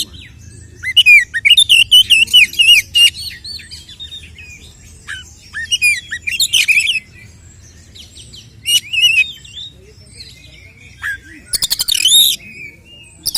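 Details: Oriental magpie-robin fighting song used to provoke rival males, a kept bird: scattered bursts of chattering notes and sweet whistled slurs, several quiet gaps between phrases, with soft low background noise.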